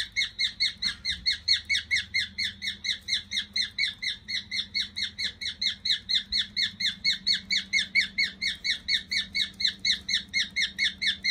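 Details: Pet cockatiel, one of three kept indoors, possibly male, sings its 'cockatiel march' while walking. Short, bright chirps repeat in a steady, even rhythm of about three per second throughout, with a low room hum underneath.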